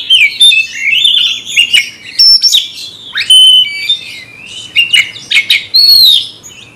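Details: Oriental magpie-robin, a caged kacer goaded into fighting a rival, sings loud clear whistled notes and rising slurs, interspersed with sharp clicks and harsh bursts.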